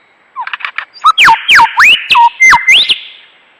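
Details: Mimicking lyrebird, a bird said to imitate chainsaws, camera shutters, car alarms and human screams, gives a quick string of loud whistles sweeping steeply down then up, about seven notes after a few soft chirps, sound clipped and distorted.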